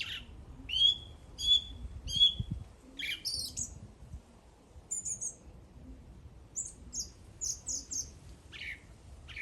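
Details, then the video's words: Bird song made of varied high notes: three clear whistled slurs, then scattered sharp chips and quick high trills, irregular in rhythm, with a quiet low background hum. "The bird is singing."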